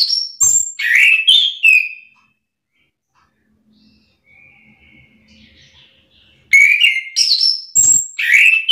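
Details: Orange-headed thrush (anis kembang), stirred up and answering another bird's song. Two bursts of rich, varied whistled phrases with quick jumps in pitch are separated by about four seconds of near-silence holding a faint, thin distant whistle.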